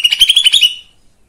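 A lesser green leafbird gives a fast, bright chatter of about nine sharp, buzzy notes in under a second, then goes quiet.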